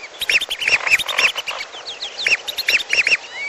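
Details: Mixed lure for bird trapping, lesser whistling duck with piolo: rapid paired arched whistles, strongly layered, a short busy burst of flock calling.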